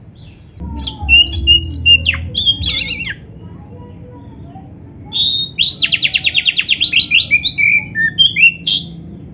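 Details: Oriental magpie-robin (kacer) in full, vigorous song, used as a training recording for young, practising or reluctant caged kacer: high sharp chirps and squeaky phrases, a pause, then a fast run of about fifteen evenly repeated notes; faint low background sound early on.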